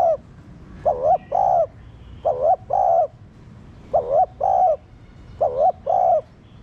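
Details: Four evenly spaced double coos from a captive spotted dove used to stimulate caged doves into cooing: a brief wavering syllable then a longer flat one, repeated about every one and a half seconds.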